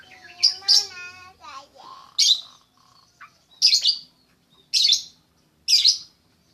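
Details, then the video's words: Sooty-headed bulbul (trucuk) calling in short, harsh bursts of scratchy notes, about one a second in the second half, after an opening of wavering tonal notes. "tes mental burung trucuk"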